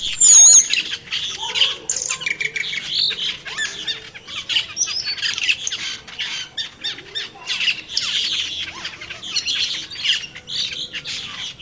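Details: Black-winged mynas in the wild keep up a long, busy chorus of scratchy squawks, clicks and buzzy chatter from many birds, steady throughout.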